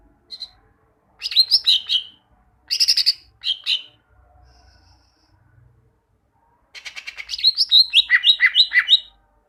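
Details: Caged greater green leafbird singing to train other birds: bursts of loud, varied slurred whistles and chattering notes separated by pauses, ending in a fast rhythmic series of alternating high and low whistled phrases.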